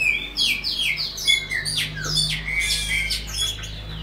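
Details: Chopi blackbird (Gnorimopsar chopi), a bird native to Brazil, recorded singing in a cage: a rich, rapid run of clear whistled notes slurring up and down, about two or three per second, over a faint low hum.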